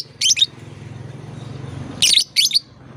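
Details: Shrill lovebird chirps meant to draw out young birds that are still learning: one double chirp at the start, then two more about two seconds later, over a low hum.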